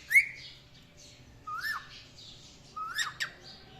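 A cockatiel gives short, bright chirps, each a quick slurred whistle that rises and then falls.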